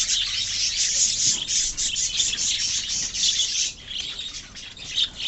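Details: A love birds colony of budgerigars chattering continuously, with overlapping shrill chirps and warbles about four per second and a slightly quieter stretch near the end.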